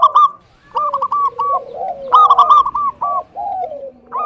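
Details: Zebra dove of a local type, singing vigorously as a lure meant to provoke rival doves: clusters of quick, clipped coo notes repeated in short runs, separated by lower drawn-out sliding coos and brief pauses.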